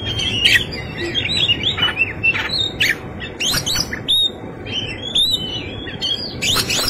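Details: Oriental magpie-robin in full fighting song with rich fill-in phrases: varied sweet whistles, slurred notes and sharp chips tumbling in quick succession, with scattered loud clicks over a steady low background rumble.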